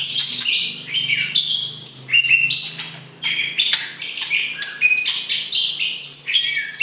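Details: White-rumped shama prepared for the breeding cage, singing to stir the opposite sex; lively cascade of clear whistles and chirps in quick changing phrases, over a low droning hum.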